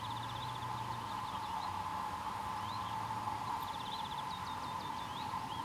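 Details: A little ringed plover at Žehuň gives quick high trills and thin, down-slurred whistles in short bursts, over a steady droning hum.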